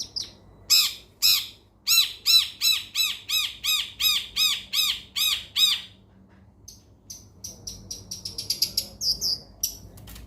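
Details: Long-tailed shrike (cendet) used to get a quiet bird singing again, giving a loud series of harsh, grating squawks about three per second, then a pause and a quick flurry of thin, high chirps.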